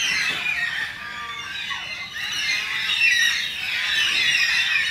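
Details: Endangered Carnaby's black-cockatoos in a suburban Perth backyard: a steady chorus of overlapping, drawn-out squawking cries with a few short downward-sliding notes.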